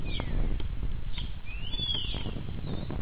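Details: Starling imitating the songs of neighbouring birds: thin whistled notes sliding upward and then falling, high in pitch, over a steady low rumble of background noise.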